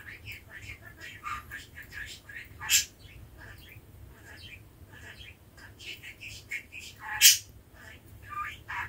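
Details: Pet male budgie at speech practice, pouring out dense, fast, chattering warbles with squeaky clicks and two sharp, loud peaks, like mumbled syllables strung together over nearly nine seconds.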